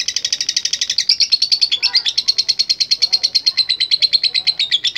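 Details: A singing lovebird gives a long 'ngekek': sustained high, buzzy chattering pulses repeated rapidly and evenly for five seconds, with faint softer warbles behind.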